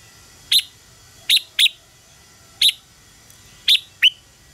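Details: Red-whiskered bulbul singing in a fighting-contest style meant to stimulate other birds: six clipped, high whistles spaced about once a second, the last one dropping slightly in pitch.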